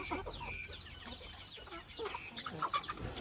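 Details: Chickens in a family house give a busy mix of high descending chirps, with a few mid-pitched clucks and squeaks near the end.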